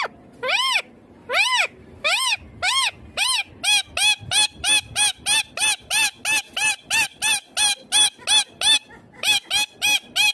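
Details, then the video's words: Indian ringneck green parrot giving loud arched squawks, first slow then repeated steadily about one and a half per second, each note rising and falling. "Indian ringneck green parrot amazing talking clear sounds"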